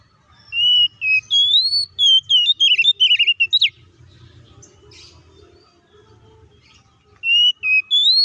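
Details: Oriental magpie-robin in fighting song, used as a lure to enrage other magpie-robins: about three seconds of ringing, varied whistles with quick trilled endings, a long lull with faint murmurs, then whistling begins again.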